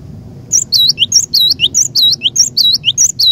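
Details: Persistent high song of a cinereous tit lure bird: evenly repeated two-part whistles, a bright upper note followed by a lower curved one, about two phrases a second.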